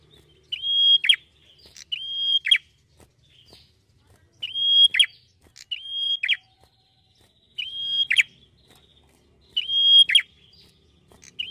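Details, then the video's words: Red-headed prinia giving melodious full song against a quiet background. Seven phrases, some in quick pairs, each a held high whistle ending in a sharp buzzy trill. "KECIL BERSUARA MERDU !! BEGINILAH GACOR MAKSIMAL PRENJAK KEPALA MERAH"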